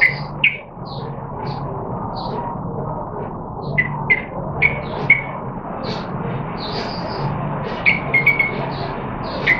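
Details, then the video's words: Yellow-vented bulbul singing while learning different songs, recorded 14 September 2021; short bright chirps and whistled notes scattered through the clip over a constant low hum and background noise. "Yellow Vented Bulbul 995 Singing n Learning different songs"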